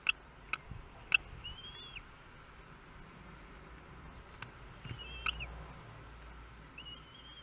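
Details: Newly hatched common kestrel chicks in their nest at Théding, France, 24 May 2022, during the third and fourth hatchings, recorded by nest webcam: a few thin, high, upslurred peeps with faint overtones, separated by sharp clicks and quiet pauses.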